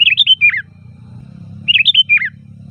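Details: Sooty-headed bulbul twice delivering a quick liquid phrase of rising then falling whistled notes, with a steady low hum behind; loud song used to call wild bulbuls.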